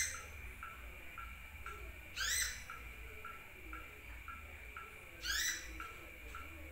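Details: Sunbird calling as a lure for attracting birds: a steady series of short rising chirps, about two per second, interrupted twice by loud sweeping, harsh upward bursts, with low background rumble.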